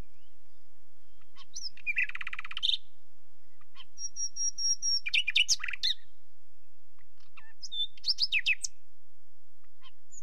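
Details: Nightingale delivering several contrasting phrases: a fast buzzy rattle, a long steady high whistled tone, a burst of harsh sharp notes, then a quick twittering flourish, with pauses between.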